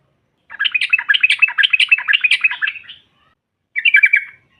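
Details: Female yellow-vented bulbul giving fast, jumbled bubbling chatter for over two seconds, then after a pause a short tighter burst, used to make rival birds respond.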